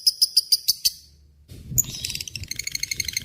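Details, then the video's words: A lovebird, recorded as a tutor for magpie-robins and shamas. It starts with a few spaced high chips, falls quiet, then breaks into a rapid, jangling chattering trill, with some low background noise. "SUARA BURUNG LOVEBRID GACOR NGEKEK PANJANG"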